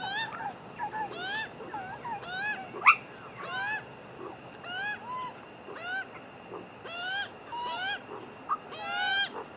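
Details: Magpie family, adults and young, feeding after a squabble in which adults got annoyed with the young: a run of nasal, harmonic squawks and warbled notes, some bending up or down, about two a second, with one sharp louder cry.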